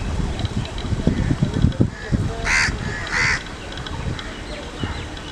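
A common moorhen gives two loud, harsh, croaking calls less than a second apart, over low rumbling background noise.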